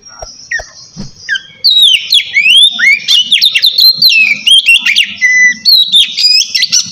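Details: Kacer, the white-rumped shama, in relaxed ngeplong song meant to prompt idle birds to sing: after a faint thin whistle, a rapid run of loud, varied whistles, slurred notes and sharp chips.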